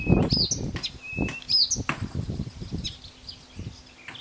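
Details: A Blyth's reed warbler sings clear, high whistles and quick up-and-down chirps, the phrases spaced about a second apart, over low rumbling thumps from wind noise.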